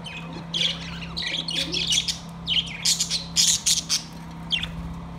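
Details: Caged budgies singing on September 2, 2023: dense, continuous chattering warble of buzzy squawks and squeaks, loudest midway, over a steady low droning hum.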